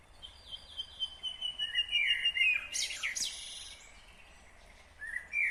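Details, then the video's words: A nightingale sings in Kyrgyzstan, 2020. A long thin whistled note slides gently downward, then a loud broadband rattling burst follows. After a pause the song starts again with a rising whistle. "Незабываемое Пение соловья / Chill out Nightingale Singing / Булбул уну / Булбул овози"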